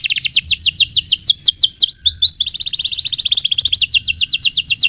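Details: Canary singing continuously, used as a tutor recording for learning birds: rapid repeated downslurred whistles, about six per second, broken by a few looping notes and a dense buzzy trill, then more rapid slurs.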